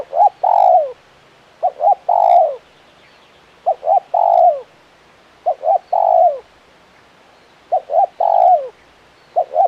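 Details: Spotted dove with a crisp, prolific 'kuk 1' voice calling steadily: low coo-coo-crooo phrases, each ending in a drawn-out downward note, repeated roughly every two seconds with faint chirping behind.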